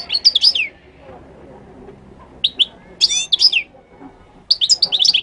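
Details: Moroccan goldfinch singing in lively bursts of high, chattering, tinkling notes with buzzy trills and downward slurs, three phrases broken by short pauses, over faint background noise.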